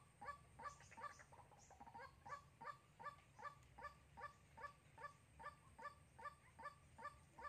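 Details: White-breasted waterhen, a decoy bird used for trapping in Soc Trang, 2 February 2021. Short nasal croaking notes are repeated steadily about two and a half times per second, with a low background hum.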